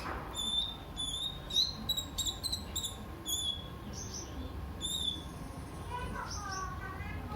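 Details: Brown-throated sunbird (kolibri ninja) singing actively, used as a lure and tutor to prompt other birds to sing: sharp, high chirps and short ringing notes repeated irregularly, with a few thin descending trills near the end over steady low background hum.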